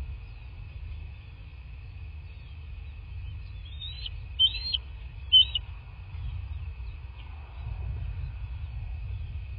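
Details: Bald eagle at its nest in a quaint landscape of southwest Florida, filmed on a nest camera on 03/02/2024 at 10:34; three short, high, clipped piping notes in quick succession midway, over a steady electronic hum and low rumble.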